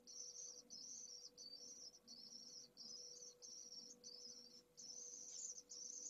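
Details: Begging of a newly hatched pallid swift nestling from a second brood at its first feeds, nest camera in Jerez de la Frontera, 2022: shrill, sizzling trilled bursts, steady and evenly spaced, with a faint low hum beneath.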